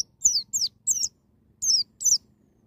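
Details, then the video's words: Wild-style white-eye song intended to provoke young birds to open their beaks: five loud, high, downslurred chirps spaced about a third of a second apart, with a gap before the last two and a soft low hum. "BURUNG PLECI NGALAS NEMBAK"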